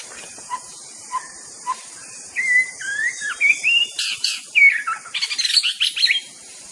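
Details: White-rumped shama (murai batu), a songbird prized for mimicking other birds, gives three soft low notes, then varied whistled phrases rising and falling, ending in dense rapid chattering trills over a constant high hiss.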